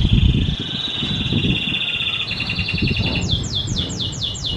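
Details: Canary song meant for training other birds: a long, fast, even trill that steps slightly higher partway, then about six quick downward-sweeping whistles repeated several times a second, with constant low background rumble.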